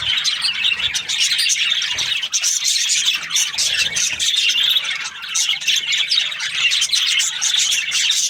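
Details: Morning budgie chatter, many birds giving rapid high chirps, squeaks and grating squawks in a continuous, busy chorus with only a momentary dip in loudness.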